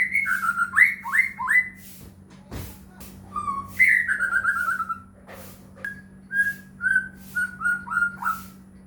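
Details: White-rumped shama song as a lure for getting other shamas to sing: fast strings of bright falling whistles, a sharp click, a long descending trill, then evenly spaced short whistled notes over a low hum.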